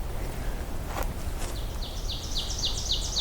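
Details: On an overcast, cold morning walk near an old hunt camp, with a subdued dawn chorus, an Ovenbird sings a rapid series of bright two-part 'teacher' phrases that grow louder toward the end, over low rumbling wind.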